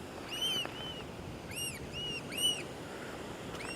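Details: Black Oystercatchers heading across the beach at Mission Point, British Columbia, on an April 29 morning give about six loud, piercing, arched 'wheep' whistles in quick, uneven succession over low surf and wind.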